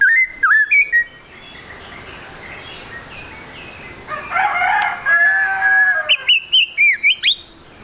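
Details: White-rumped shama song used as a lure for fast singing: opening whistled phrase, a long harsh crowing-like sound in the middle, then a final run of loud rising whistles and sharp notes.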